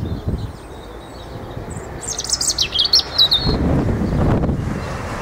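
A European robin gives one brief phrase of high, thin, tumbling notes with quick trills, set against low rumbling wind.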